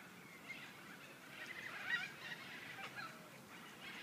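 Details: Noisy white cockatoos at the Murray River, Echuca, Australia give harsh, raspy screeches overlapping in a steady wash, with one louder squawk near the middle; faint background hiss throughout.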